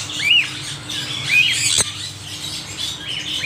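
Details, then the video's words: Parrots giving short, bright whistled calls that sweep up then down, roughly one each second, with softer rasping squawks around them, a sharp click, and a faint steady tone in the background. "Extreme noise of parrots"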